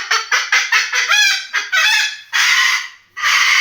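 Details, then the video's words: A white cockatoo imitates a chicken: about eight quick, harsh clucking bursts, then two long, loud, raspy screeches. "White Cockatoo making chicken sound"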